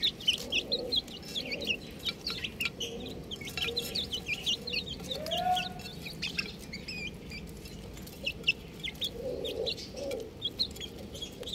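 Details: Many young buff chicks peeping together: a dense chorus of short, high, downward-slurred cheeps overlapping continuously, with a few low soft notes and a brief rising tone in the middle.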